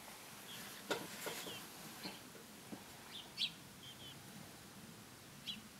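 A female house sparrow gives a few short, scattered chirps a second or two apart, over quiet background hiss and faint clicks.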